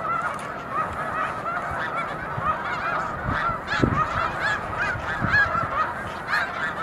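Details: Snow geese massed in huge numbers on the Montezuma mucklands, New York, March 2022; a constant clamour of yelping honks from countless birds, some nearer calls standing out, over a low rumble.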